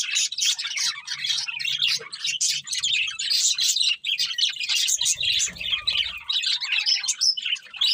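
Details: Budgerigars singing and eating, happy, keeping up a continuous high chirping warble of quick notes, over low soft rumbling and a short burst of low noise past the midpoint.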